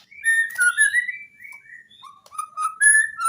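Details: White-rumped shama song on a training recording for caged birds that rarely sing: clear, varied whistled phrases sliding up and down, with short breaks between loud rising and falling notes, plus brief clicks and sharp high flicks.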